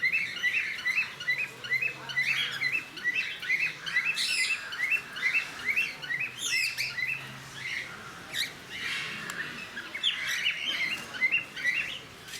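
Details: Cockatiels in a lively aviary enclosure at Bannerghatta National Park & Zoo, shared with lovebirds and conures, chirp steadily, with short bright notes overlapping in a busy chatter.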